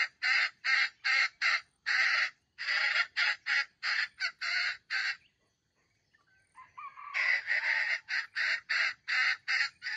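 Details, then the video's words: Red junglefowl used as a trap's bait bird, crowing in a stuttering, grinding voice: rapid bursts of harsh, choppy syllables about three per second, a pause with a faint rising note, then another fast broken run. "The bait of the wild chicken trap crows with a stuttering voice that sounds like grinding"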